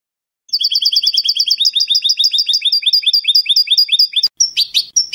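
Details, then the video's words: European goldfinch singing Spanish salon song, canto al eco without terminations, recorded for a CD: long, even trill of tinkling paired notes at a fast steady pace, ending in a few harsher, buzzier notes. "CANTO DE SALON JILGUERO"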